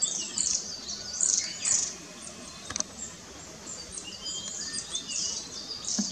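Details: Long-tailed tit family in a tree, 4 May 2016, adults feeding fledged young while herding them along; dense high, thin tsee and chirping notes come in clustered bursts, loudest near the start, over a quiet background.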